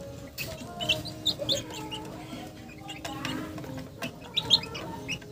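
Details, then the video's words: Chickens in a funny moment: a few bright, sharp high chirps in small bursts near the start and end, separated by quieter stretches of low rumble and faint clicks. "Funny Chicken Sounds"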